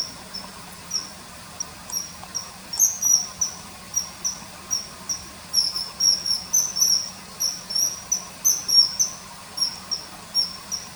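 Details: Riverside common kingfisher uttering rapid series of shrill, high whistled notes, some slurred or paired, crowding together in the second half; faint low hum beneath.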